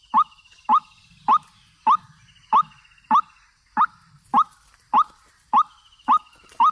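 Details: A white-breasted waterhen call played as a lure for trapping. A steady string of short, rising, croaking notes repeats roughly every 0.6 seconds, about eleven in all, over faint background hiss.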